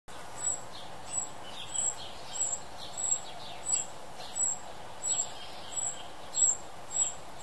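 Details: Juvenile Tūī in New Zealand giving short, high, sharp notes repeated roughly every 0.7 seconds, a steady series of ten or so clipped calls over a soft background hiss.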